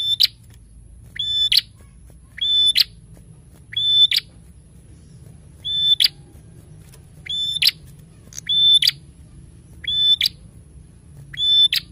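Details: Prenjak in full song, repeating a short steady high whistle ending in a sharp burst, about every 1.3 seconds, nine phrases in a row, with faint low background hum.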